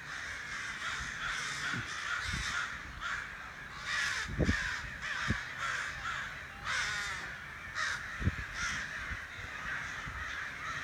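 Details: Crows calling outside a back door: harsh, raspy caws overlapping in bursts, several birds cawing at once with short pauses, a few low thumps and knocks in the background.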